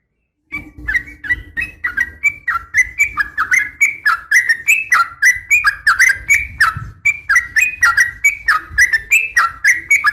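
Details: Female yellow-vented bulbul calling males to answer: a continuous, lively chatter of quick, rising and dipping chirps, roughly three or four per second, over soft low background noise.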